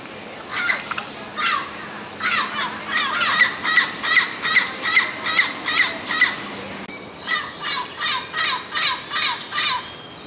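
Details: Turquoise-fronted amazon calling in a run of harsh, nasal squawks repeated roughly once a second, broken by a short pause and then resuming in the same steady series.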